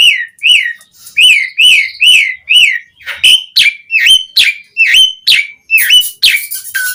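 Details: Asian pied starling singing actively, a recording used as a lure to get other starlings to sing: a series of loud, slurred whistles repeated about every half second, shifting to higher, sharper whistled notes and ending in harsh buzzy chatter.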